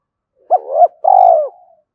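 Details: Decoy spotted dove goading wild doves to fight: a double arched coo joined by a soft hum, followed by a long, rolling, gently falling trilled coo.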